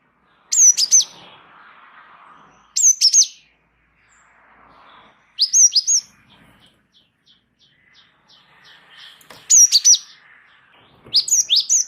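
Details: Wingko Java sparrow singing steadily: bright, high chirping phrases come every two to three seconds, with soft ticking notes and quiet warbles in the gaps, ending in a quick run of chirps.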